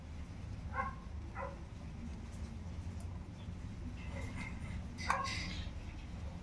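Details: Tinamou chicks, named as black tinamou (inhambu-preto) and sururina young: short, clipped peeping notes with stacked overtones, a pair early and another pair near the end, over a steady low rumble of background noise.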